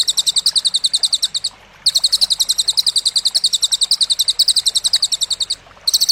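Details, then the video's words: Cililin singing for masteran, a training recording for contest songbirds: bursts of fast, sharp, high doubled chirps, around three and a half per second, separated by two short silences. "Masteran Burung Lomba Isian Cililin"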